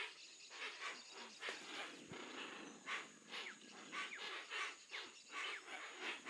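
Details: Brazilian Amazon Hoatzin giving rasping, breathy hisses in short bursts, irregular and overlapping as if from several birds, with a constant high-pitched insect drone and a few faint thin whistles in the background.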